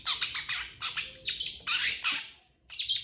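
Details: Long-tailed shrike master song for training other birds. It gives dense, scratchy chattering bursts, rapid and harsh, then a brief silence and one more grating note.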